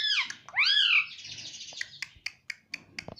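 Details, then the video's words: Talking pet Indian ringneck parakeet in a small room: a loud, harsh rising screech lasting half a second, then a quieter hiss followed by a string of short sharp clicks or taps roughly every quarter second. "Bolne wala tota - mummy mummy bolta tota - talking parrot - mitthu mitthu"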